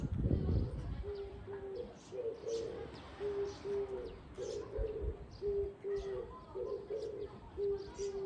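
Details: Oriental turtle dove recorded on 13 April 2024. After a brief thump, it gives low, hoarse coos in a steady repeating phrase: two short even notes, then two longer, rougher, slightly higher notes. Faint high chirps from other birds come through behind.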